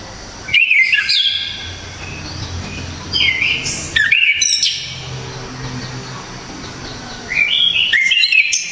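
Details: Orange-headed thrush from Java, known locally as anis kembang, singing hard, sharp, clear phrases: bursts of rich wavering whistles every few seconds, with quieter pauses and a faint low hum.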